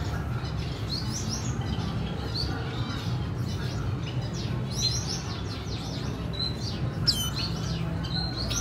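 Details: Red siskin mother and chick recorded 14/4/2021. Dense high twittering with sharp sweeping chirps and a few buzzy bursts. A constant low droning noise underneath.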